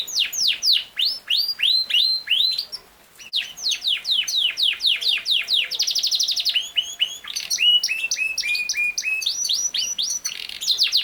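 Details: Singing Yorkshire canary, also called king size canary: runs of quick descending chirps, a brief pause, more sweeping trills, a buzzy rattle, then looping rising whistles, bright and continuous.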